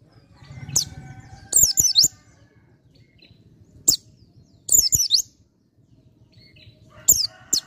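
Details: Bar-winged prinia giving high, sharp chirped phrases at irregular intervals, some single notes and some quick clusters of three, with quiet gaps between.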